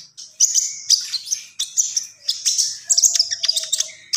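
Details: Common iora singing gacor-style, with a continuous rush of high, bright twitters and chirps broken by short gaps. A lower thin whistle runs underneath near the end.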